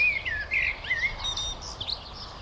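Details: A common blackbird in the Jordan Rift Valley sings a brief, mellow fluted warble that slides downward, then breaks into a thin, high twittering ending.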